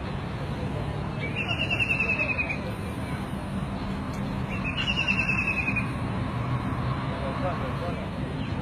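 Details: White-throated kingfisher giving two loud, rapid chattering trills, each about a second long, over a constant low rumble like traffic.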